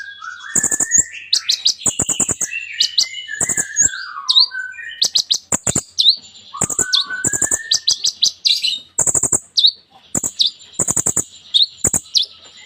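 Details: Sunbird known as kolibri ninja, kept as a songbird and singing a long varied song of rapid high chip bursts, descending slurred whistles and trills, delivered almost without pause.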